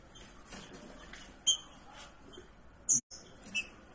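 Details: A female green-winged saltator in breeding condition calls to solicit a male: a few sharp, very high chips, two loud ones about a second and a half apart, with fainter notes between over a soft hiss.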